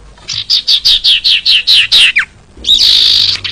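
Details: Common iora, a lively songster used to coax silent birds: about eight quick buzzy descending notes in an even series, a brief pause, then one long sustained high whistled note.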